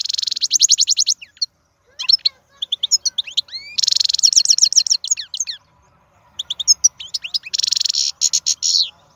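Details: Powerful European goldfinch from the wild pouring out song: buzzy rattling trills alternating with rapid high twitters and upslurred whistles, in several long energetic phrases.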